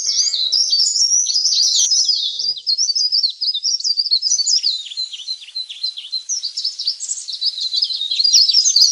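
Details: Leaf warbler lure sound for calling in wild birds, known as pare-pare ribut. A rapid, busy stream of high, thin chirps and zigzag twitters runs without pause and softens slightly in the middle before picking up again.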